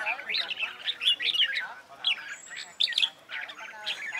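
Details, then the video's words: Red-whiskered bulbul fighting song for singing contests: full, warbled whistling phrases with a faint steady hiss and a thin high tone in the background. "CHÀO MÀO HÓT ĐẤU HAY"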